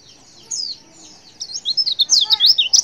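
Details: Female white-eye calling to make males answer: one brief high note, a pause, then a fast burst of thin, sharp, rising and falling chirps tumbling over one another.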